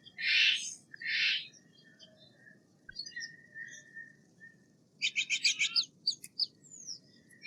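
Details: Steller's jay: two hoarse rasping bursts, a quiet stretch with a faint thin whistle, then a fast stuttering rattle of short harsh notes and a few sharp chips.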